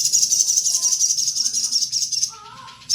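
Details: Little spiderhunter singing, a dense, rapid, high-pitched chattering trill that runs for over two seconds, breaks briefly, then resumes; faint lower whistled notes in the background.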